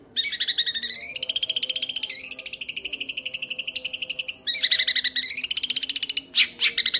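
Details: Young Long-tailed Shrike in long ngekek chattering: rapid buzzy pulses that sweep upward in pitch, hold high, then restart after a brief break.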